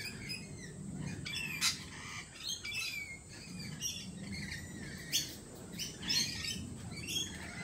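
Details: Several lorikeets at a cafe chatter busily: quick, high chirps and twitters mixed with sharp, harsh squawks every second or so, over a low murmuring background.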